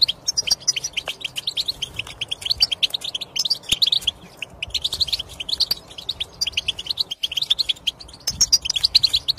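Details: Goldfinch song played so that a goldfinch that does not sing will start: dense, fast twittering of high chirps and brief trilled bursts, continuous apart from short pauses.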